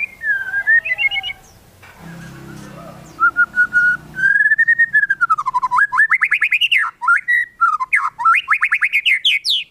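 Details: White-rumped shama song played to make other shamas sing: a long continuous flow of loud, fluty whistles swooping up and down, growing into fast, varied rolling phrases.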